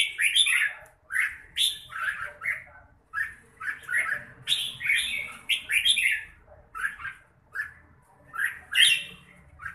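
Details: Red-whiskered bulbul singing a steady run of short, bright, bubbly phrases about once or twice a second, each a quick cluster of whistled notes with brief pauses between.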